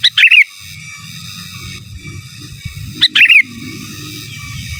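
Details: Sooty-headed bulbul in lively gacor song, giras and menggaruda style, used as a master: two loud phrases three seconds apart, each a high pip leading into a quick warbled flourish, with low hum between.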